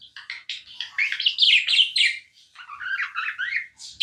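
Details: Pet budgerigar chattering continuously, a rapid run of buzzy, warbling chirps and rising whistles packed closely together, bright and high, with a short gap before a final sharp chirp.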